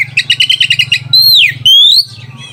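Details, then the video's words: Song of a white-rumped shama, used to provoke rivals and stir mating urge: rapid repeated chattering notes followed by long clear whistles, one falling and one rising, over a steady low hum. "PANCINGAN SUARA KACER PEMBANGKIT BIRAHI DAN EMOSI LAWAN"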